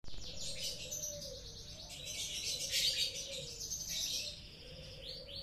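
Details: Canaries in breeding, mating birds: a continuous rapid high twittering song of rolling trills and chirps runs through the whole stretch, with a faint steady low tone underneath.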